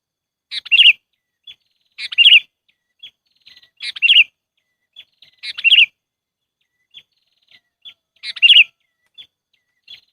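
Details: Sooty-headed bulbul calling as a trapping lure. Rapid gurgling note clusters are repeated five times at roughly two-second intervals, with isolated short chirps in the gaps.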